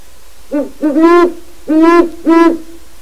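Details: Wild Great Horned Owl stopping at the open door of a captive pair's pen in its territory. It gives a loud, close series of five deep, resonant hoots, the last three strong and evenly spaced about half a second apart.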